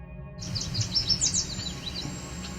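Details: A Cedar Waxwing gives a very high, thin, drawn-out whine after a yellow warbler's quick run of bright, sweet notes, on 17 July 2019 in edge habitat and fields along the Otter Lake Trail near Cape Chin North, Ontario; low rumble underneath.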